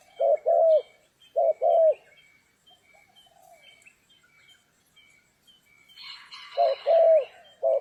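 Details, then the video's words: Spotted dove calling while being trapped on a stormy rainy day: paired low hollow coos, short then longer, given twice, then a pause with faint murmuring before another coo series begins over a brief burst of rustling noise. "Chim cu gáy"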